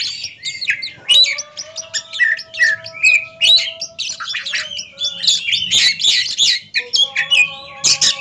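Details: Oriental magpie-robin song from a head-to-head singing competition: busy mix of high twittering, scratchy squeaks and bright whistled notes, with steady lower tonal whines sustained in the background throughout much of the passage.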